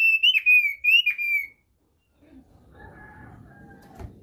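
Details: Thick-billed white-eye from East Nusa Tenggara, Indonesia, singing its basic song (kicau dasar): two loud, clear, falling whistles, then silence, followed by a low background hum and a faint murmur.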